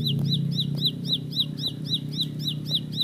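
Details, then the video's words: A bar-winged prinia delivers quick, high, hooked notes in a rapid roll, roughly four per second, partly buried under heavy, low droning noise. "Tembakan Roll Spead Ciblek Lagu Full Kolibri // Ciblek Sawah/Ciblek Pari"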